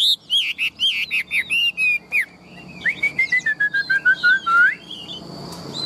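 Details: Caged tame Chinese hwamei with a big body, described as a loud fine singer and good fighter: rapid repeated looping whistles, then a descending string of short whistled notes that ends in a rising slur.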